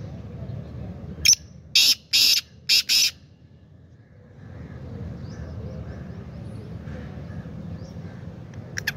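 A black francolin gives one loud, harsh, grating phrase of five clipped notes over about two seconds, followed by a low rumble of background noise.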